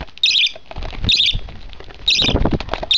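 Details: Budgerigar chick, one month old, begging at feeding time with short raspy squawks between loud rustling and handling sounds.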